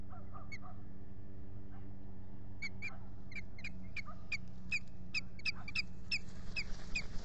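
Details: Wild osprey pair at their lakeside nest at Salt Point, filmed by nest camera on April 19, 2021, in the spring nesting season. A faint run of short, sharp, repeated chirps begins after a quiet start, over a steady low rumble.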